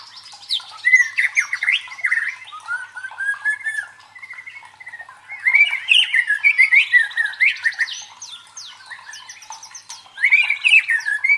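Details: White-rumped shama song played to train the fighting mentality of contest birds: rich, varied phrases of slurred whistles mixed with rapid buzzy trills, delivered in bursts separated by short quieter gaps.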